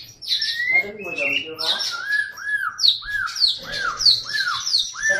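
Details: Loud, rapid white-rumped shama song: a run of arched whistled notes repeated about twice a second under high sharp downslurred accents, after some rasping chatter.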